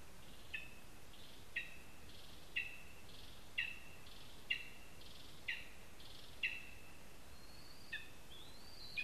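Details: Series of about nine short high yelps, roughly one per second, from a lesser spotted eagle at its nest in a spruce in Zemgale, Latvia, seen on a live camera; a rising thin whistle near the end, low hiss throughout.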